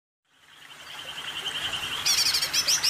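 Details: A greater green leafbird, a popular contest songbird in Indonesia, holds a high, slightly wavering whistle for nearly two seconds, then breaks into about five quick, bright upslurred notes.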